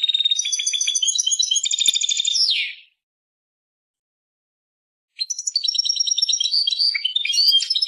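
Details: Persian European goldfinch, twittering song phrase ending in a sliding downward note, about two seconds of silence, then a fresh run of liquid chirps and tinkles.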